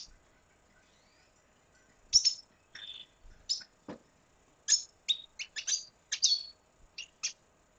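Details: Red siskin from Venezuela with high chips and short twittered notes in loose groups, livening into a quicker series after a quiet start.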